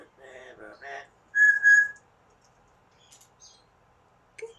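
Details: Pet Amazon parrot at home indoors: low muttering chatter leads into two loud, pure, level whistled notes in quick succession, then near silence with a faint click at the end.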